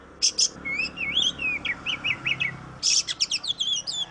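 An Oriental magpie-robin sings a run of clear, rising and falling whistles, opened and closed by quick bursts of harsh, scratchy chatter.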